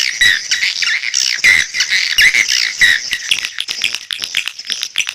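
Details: Swiftlets calling: fast, high, clicking twitters with slurred whistled notes dropping in pitch, several calls a second, tapering off in the final second.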